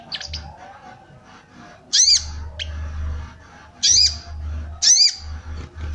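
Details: Female sooty-headed bulbul calling to arouse males, used to stir males to sing and to lure wild birds; harsh, buzzy arched notes repeated irregularly about every second, four main calls with faint chirps at the start, low hum in the background.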